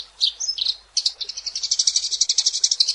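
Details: Eurasian tree sparrow in lively song: a few separate high chirps at first, then a quickening series of regular, rapid chirps, about four per second, over faint background rustle.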